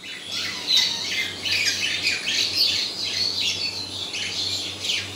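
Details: Budgerigars in a mating pair chatter in a busy, scratchy warble of chirps and squawks during courtship.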